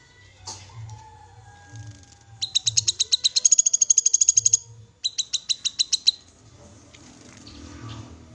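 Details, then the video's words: Black-capped babbler, an untrained bird, delivering a long, accelerating string of piercing, high chips, then a second shorter burst, with scattered rustles and a low hum around it. "Kinoi Bahan Langsung Bunyi Dengar Suara Call Kinoi ini"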